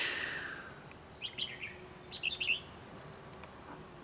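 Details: Decoy red-whiskered bulbul at a trapping site, December 2020, calling to lure wild birds: two quick clusters of lively chirped notes about a second apart, set against a constant shrill insect hum.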